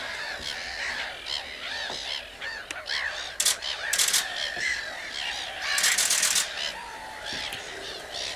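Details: Common crane calls from many birds overlapping into a busy chorus of arched, trumpeting notes, with several louder bursts standing out near the middle and a short faint crackle.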